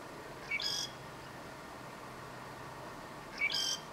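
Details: Two harsh, buzzy phrases from a southern grey shrike in northern Lanzarote, October 2018, about three seconds apart, each opening with a quick rising note before the rasping burst.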